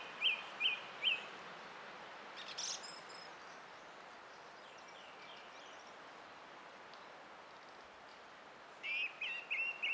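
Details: Song thrush singing, 20 April 2016. Three identical sharp high notes are repeated in quick succession, followed by a long quiet gap and then another set of three repeated notes.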